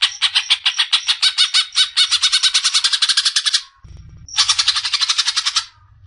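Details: A greater green leafbird with champion potential sings fast, harsh, buzzy trill bursts for nearly four seconds. After a short break with a low rumble, a second burst of the same rattling trill follows.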